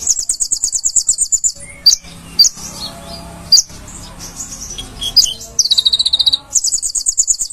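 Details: Konin singing on a master recording for training cage birds: high, rapid buzzy trills at the start and end, with scattered sharp chirps and quieter twittering between them.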